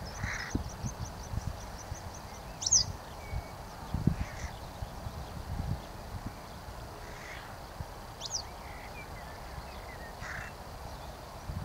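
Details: Western yellow wagtail recorded in May 2023: a quick ticking series opens, followed by a few sharp, high, sliding call notes spaced several seconds apart, with soft low thumps and background noise.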